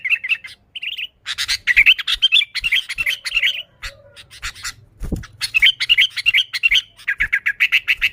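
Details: Lure recording of a sooty-headed bulbul in full, original voice with no other birds mixed in: busy, nearly continuous chattering of quick warbled notes, broken by a brief pause and a low thump midway.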